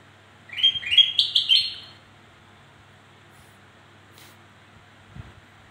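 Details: Black-crested bulbul delivering its song, used to lure birds that are slow to sing; one quick whistled, warbling phrase near the start, then silence with soft taps.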